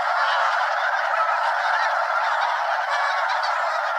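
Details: Hundreds of Snow Geese flying around Limestone Bay at Wheeler National Wildlife Refuge, North Alabama, before settling on the water; dense, constant chorus of harsh honks.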